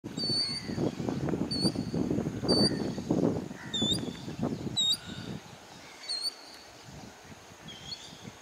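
A stone-curlew gives short, high, clear whistled notes about once a second. A low rumbling background fades after the first five seconds.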